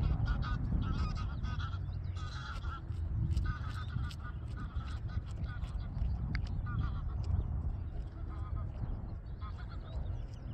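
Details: A male garganey at Waterrijk-west on 30 April gives short, dry, rattling calls in quick repeated bursts over a steady low rumble of wind or distant traffic.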